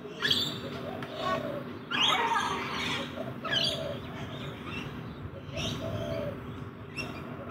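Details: Rainbow lorikeets feeding in a backyard give harsh, broadband screeches in bursts near the start, around two seconds and toward the end, with softer chirps in between over a steady low hum.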